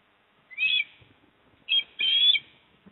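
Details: Osprey pair at their Port Lincoln nest, South Australia, 28 September 2024, as the male brings the female a fish: a short high whistle, a brief pause, then a longer shrill, slightly wavering whistled call with a quieter lead-in note.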